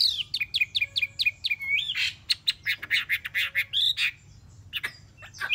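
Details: Three-month caged Chinese hwamei repeats short clipped whistled notes in a quick even series, then switches to louder rough, buzzy pulses, with a few scattered sharp notes near the end.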